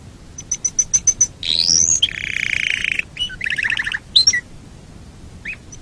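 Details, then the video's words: Canary in full song on a training recording for songbirds: high pips leading into a rising whistled note, a long buzzy rolling trill, rapid rattles and a final sharp chirp. "Masteran Suara Kenari"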